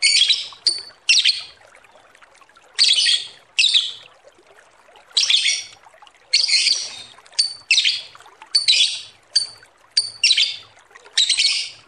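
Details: Lovebird producing a long series of harsh, scratchy squawks and brief chirps in irregular bursts, some doubled, in a recording used to lure other birds.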